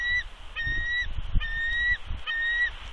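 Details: Bald eagle warning calls at a Big Bear nest with eggs, aimed at an unidentified adult eagle that landed on the high perch. Level, high whistled notes about half a second long repeat roughly every 0.8 seconds against wind.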